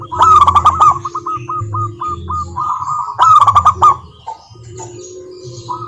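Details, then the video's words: Local zebra dove song as a lure for lazy doves: a string of short, evenly spaced cooing notes between two loud rattling bursts, with a low steady hum throughout. "Perkutut Malas Bunyi dijamin NYAUT GACOR LANGSUNG dengar pancingan masteran Kutut lokal ini"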